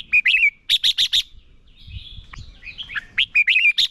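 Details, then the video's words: Decoy red-whiskered bulbul in competitive song meant for training other birds: rapid runs of sharp, clear whistled notes repeated in bursts, a softer warbling stretch in the middle, then another fast volley of bright notes. "Chào mào mồi hót đấu quá tuyệt - Luyện giọng Chào mào hót hay ép bổi sổ bọng và căng lửa"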